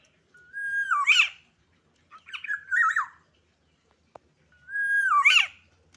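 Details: Black-naped oriole, described as agitated and learning its sounds, gives three phrases: a steady whistle twisting into a harsh squawk, a rough wavering middle phrase, then the whistle-and-squawk pattern again. A single sharp click sounds between phrases.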